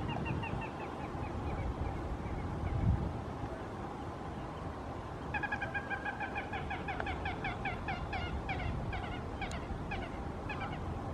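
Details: A coscoroba swan on 11 September 2019, from the season's first coscoroba family with seven cygnets. It gives short, nasal, rapidly repeated notes in loose bursts, quieter at first and busier later, over wind rumble and a constant hum.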